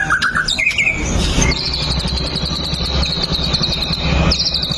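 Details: White-rumped shama song used as a lure to prompt other shamas to sing: clear falling whistles, then a long, rapid, high buzzy trill running steadily to the end, over a constant low rumbling background.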